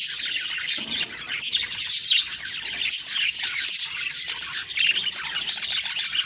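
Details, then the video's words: Morning budgie chirping: continuous high twittering and squeaky warbles from a group, occasional sharper whistled notes standing out. "Beautiful morning birds chirping sounds/Budgie sounds"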